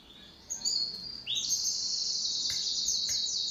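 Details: Pet canary in a home duet: after a quiet start, short whistled notes rise into a long, high, continuous buzzy trill with faint clicks.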